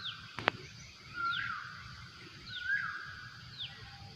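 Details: Asian koel calling in a rubber plantation: two loud rising whistled notes about a second and a half apart, with fainter high downslurred notes between them and a steady rural background hum.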